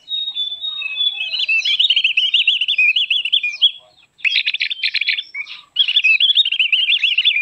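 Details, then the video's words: Javan grey-throated white-eye song, a recording used for luring and training birds: a long, rapid warbling twitter of high chirps and trilled notes, briefly interrupted, then resuming with fast repeated buzzy bursts and more warbling. "Suara pikat+master burung opior Jawa"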